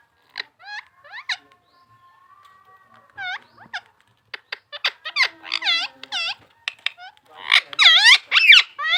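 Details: Talking parrot copying human speech: scattered short squeaky syllables and a faint low hum, then increasingly dense runs of bright, bending, voice-like notes building to loud rapid chatter by the end.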